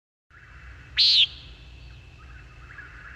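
A Common Nighthawk gives one harsh, nasal, buzzy "peent" lasting about a quarter second, over a faint steady high tone and a quiet low rumble.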